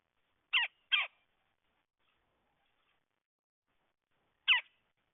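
Red-headed woodpecker giving harsh, raspy calls: two quick ones close together, then a single call after a pause of about three seconds, against a quiet background.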